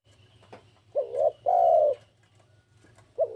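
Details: Spotted dove in breeding condition, calling to a rival: a short hooked coo followed by a longer, steady, mellow coo, then a pause and the start of the next phrase, with a faint low hum underneath.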